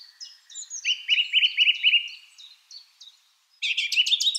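A Song Thrush sings a run of quick, repeated whistled notes around four per second, then after a brief pause a louder, richer burst of varied phrases.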